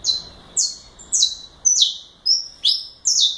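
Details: Saffron finch, known as canário da terra or canário galador, singing a series of loud high-pitched notes: bright descending whistled phrases repeated roughly every half second, sometimes with a sharp rising note between them.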